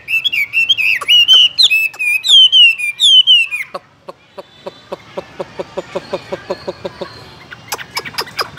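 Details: Caged Chinese hwamei singing loud, rich whistled phrases that slide and warble between high notes for nearly four seconds, then falling silent while a steady series of sharp dry clicks repeats about twice a second.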